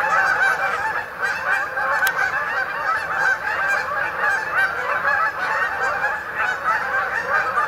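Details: Overlapping harsh honks from a large group of Canada geese flying in for the night to Sapsucker Woods pond, Ithaca, New York, October 2017, with a single sharp click partway through.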